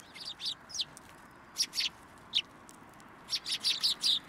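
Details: Several sparrows come for food placed on a post at a Tenmangu shrine, 2 January 2023, giving bright, short chirps singly and in pairs, then a rapid run of repeated chirps toward the end.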